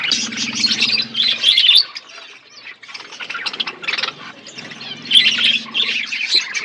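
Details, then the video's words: Budgies in an outdoor aviary while eating: bursts of rapid, buzzy chirping chatter in two loud phrases separated by a quieter pause, lower hum beneath. "Budgies parakeet eating food in outdoor aviary birds chirping sound"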